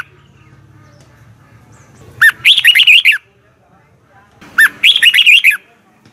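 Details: Red-whiskered bulbul in morning song training, two quick phrases of bright rising and falling whistles a little over two seconds apart, with a low buzzing hum early on.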